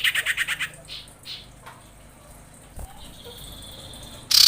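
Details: Female common iora calling males: a quick series of six pulsed notes, two softer chirps, a thin drawn-out whistle, and finally the start of a loud, harsh burst.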